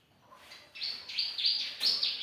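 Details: Young bar-winged prinia singing briskly for a songbird training recording: after a moment of quiet, a quick string of loud, high chirping notes.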